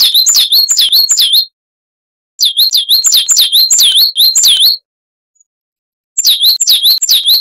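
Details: Coal tit singing for cage-bird training: three separate runs of swooping, high, slightly slower two-note phrases, each run lasting one to two seconds with silent pauses between.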